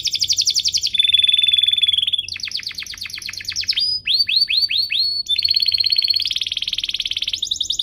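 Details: Canary master song for young birds: loud varied trills, a level whistled tone, rapid downslurred notes repeated about four per second, and fast high rattles, switching phrases every second or so.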